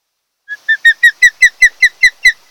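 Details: Osprey at a Kent Island, Maryland nest, early July morning: a loud series of nine clear, slightly falling whistled notes repeated about five times a second.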